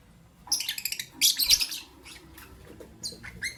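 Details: Morning chirping from albino and euwing green opaline lovebirds, with a rapid, harsh burst of high twittering notes for about a second, then scattered single sharp chirps and a few soft clicks.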